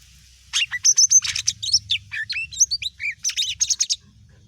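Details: Greater green leafbird, mini type, singing to goad other birds into responding; a loud, fast, varied phrase of clear high whistles, crisp chirps and looping slurred notes lasting about three and a half seconds.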